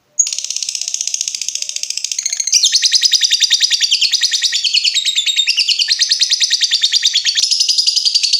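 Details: Lovebird singing a long trill used to train other birds: an unbroken, very fast high chattering rattle lasting over eight seconds, shifting pitch in steps and growing louder partway through.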